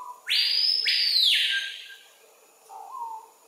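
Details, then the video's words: Adult male screaming piha singing on a lek in Kourou, French Guiana, at 13:00 on 25 September 2023, filmed with a Panasonic FZ300: soft low whistles, then two deafening, ringing notes that sweep sharply upward and slide down, ending in a low slurred whistle. "Screaming Piha (Lipaugus vociferans) male singing (screaming)"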